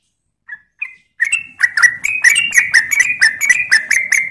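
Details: Trucuk, the yellow-vented bulbul from Klaten, in a lively 'ropel' lure track: two soft separate notes, then a quickening series of clipped, ringing chirps, roughly two each second, rising and falling slightly, with a quiet low rumble.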